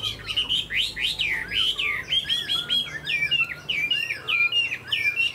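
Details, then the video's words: Chinese hwamei, a tame cage bird spreading its tail and flaring its wings; fast series of slurred, rising-falling whistles repeated about one and a half times per second, sharp and ringing. "Chim họa mi thuần đuôi xòe, chơi cánh đại bàng cực đẹp"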